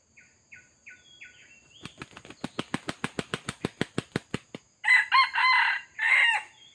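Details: A wild male red junglefowl at a trapping site with a decoy gives soft chirps, then a rapid run of about fifteen wing-beat thumps, and finally a loud, harsh, clipped crow in two or three broken phrases.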